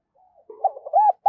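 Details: Spotted dove decoy bird cooing: soft, low murmured notes build into a loud, arched mellow coo, with another strong note starting at the end.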